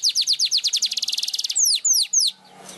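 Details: Weaver singing energetically and flapping its wings, giving a fast series of high, clipped notes that accelerate into a trill, followed by three loud, downward-slurred whistles.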